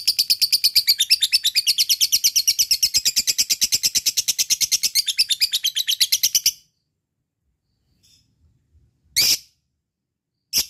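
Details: Fighter lovebird's ngekek chatter, used as bait for reluctant singers: a fast, harsh, pulsed trill lasting over six seconds, then silence broken by two short sharp bursts.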